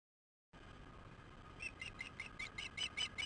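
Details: Osprey at a nest camera on 15 August 2015 at 19:17, during a fish delivery. After a short silence, sharp whistled chirps repeat rapidly, two to three per second, over a steady background hiss.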